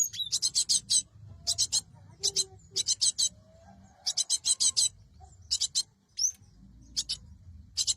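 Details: Cinereous tit lure recording: short groups of three to five harsh, high, rasping notes repeated with steady pauses, one brief whistled upslur near the end, faint low hum beneath.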